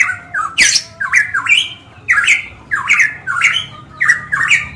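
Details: Golden myna from Papua (Manokwari) giving loud, clear, harsh squawking phrases with rising-falling whistled tones, repeated roughly every half second to second, in a small indoor room.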